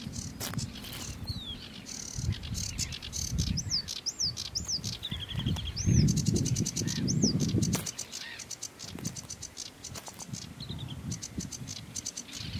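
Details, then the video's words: Sedge warbler (Acrocephalus schoenobaenus) song: a fast, varied chattering run of dry ticks and buzzy rattles, broken by several high, arched whistled notes repeated in sequence, over a steady low rumble. "Sedge Warbler Carricerín común Acrocephalus schoenobaenus Rietzanger"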